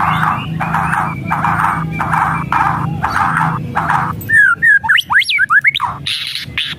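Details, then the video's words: White-rumped shama rattling and whistling meant to rouse a lazy bird: six harsh, evenly spaced rattle bursts, then quick sweeping whistled notes leaping up and down, ending in high buzzy tones, over a low hum. "SIULAN DAN KRETEKAN MURAI BATU | pancingan murai batu malas bunyi"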